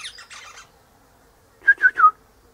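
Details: Eastern rosella sitting high in a hedge in the morning, mate in a nearby pecan tree; soft scratchy chatter followed after a pause by three loud piping notes, the last falling.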